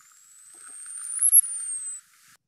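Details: Male Costa's hummingbird (Calypte costae) vocal courtship song, made with beak and throat: a thin, very high whistle about two seconds long, climbing steadily to a brief blip near its peak, then sliding back down.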